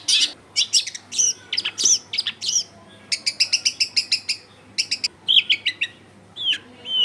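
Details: Long-tailed shrike singing as a lure for rival shrikes, recorded in a densely populated residential area: scratchy chirps, then a quick run of evenly spaced clicks and a few slurred whistles, with a low hum behind.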